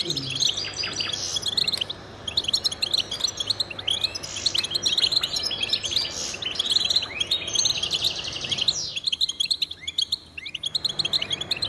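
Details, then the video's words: Goldfinch male in full song for territory and courtship: long stream of lively twittering, liquid chirps and buzzy trills, briefly thinning near the end before resuming, with a quiet low hum throughout. "Power of Goldfinch Songs"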